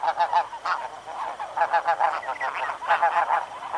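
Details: A flock of snow geese flying past at Chincoteague, Virginia, gives a continuous chorus of nasal, yelping honks, many birds calling over one another at a fast, overlapping pace.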